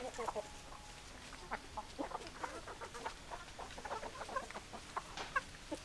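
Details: Hens clucking: scattered short clucks from several birds spread across the recording, with a faint steady tone running beneath and light background hiss.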